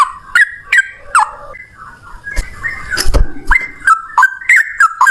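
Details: Yellow-vented bulbul (trucukan) singing in the rapid 'gacor ropel' style: clear whistled phrases that swoop down and up, repeated about three times a second, with a noisy rustling break in the middle.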